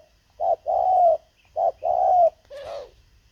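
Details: Spotted dove kept as a decoy to lure wild birds, cooing two phrases of a short note followed by a longer drawn-out coo with a slight falling end, then a softer rough note.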